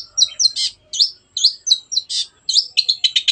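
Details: Long-tailed shrike song used as a lure for birds that have stopped singing: sharp, slurred whistles alternating with scratchy notes, ending in rapid buzzy triplets.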